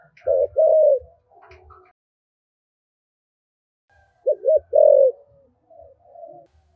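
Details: Spotted dove kept as a decoy bird, a 'giọng thổ' voice-style cooer quick to start cooing: two loud, low, hollow coo phrases near the start, a soft trailing murmur, then after silence another pair of deep coos with fainter notes.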